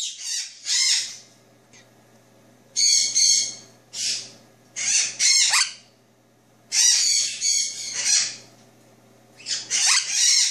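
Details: Two-year-old male Jenday conure kept as a pet, indoors at night after drinking bird milk. Harsh, grating squawks come in irregular clusters, often paired, about one to two seconds apart, with a faint low hum beneath.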